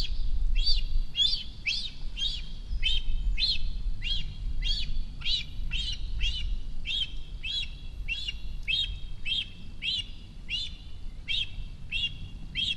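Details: A young cinereous vulture, one month after fledging, calls from the nest at Rascafría in the Sierra de Guadarrama, performing its food-begging ritual as an adult nears: a fast, steady series of sharp arched squeaks, roughly four per second.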